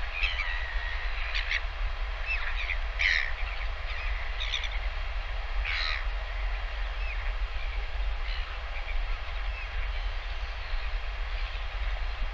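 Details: Feeding of a northern royal albatross chick by its parent at lunchtime, live camera, 20 August 2023: a series of harsh, clipped calls in uneven bursts through the first half, then quieter, steady wind noise throughout.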